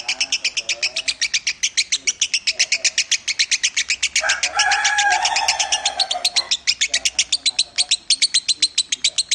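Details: Champion competition lovebird's "minor" voice used as a master recording: a fast, steady run of shrill, buzzy chirps, about four a second, with a lower, drawn-out nasal call overlapping midway.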